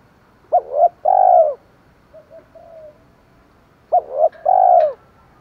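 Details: Spotted dove in 'thổ' style with 'pha thúc đấu' phrasing, a decoy voice to lure wild doves. Two phrases of a clipped double note and a long mellow coo, with faint soft murmurs between.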